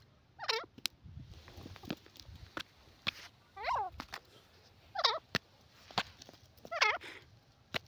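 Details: Grey francolin, a teetar, calling outdoors: harsh, harmonic-rich notes wavering through the midrange, given roughly every one and a half seconds, separated by sharp clicks and faint background murmurs.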